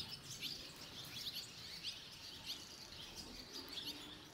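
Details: Barn swallow chicks at fledging time, five leaving the nest within two and a half minutes, with earlier-fledged young from other nests nearby; thin, high chirps repeat in quick overlapping bursts over a steady hiss.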